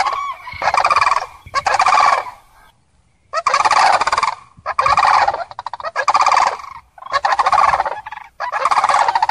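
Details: Series of separate loud, rolling, bugling calls from common cranes, about seven bursts in nine seconds with clear silent gaps between them.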